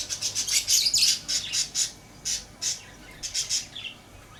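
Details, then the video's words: Lovebird chirping: rapid, shrill, high chirps and squawky bursts tumbling over each other about four per second, loud and busy at first, thinning toward the end, in a quiet indoor setting. "Lovebird Chirping Sounds"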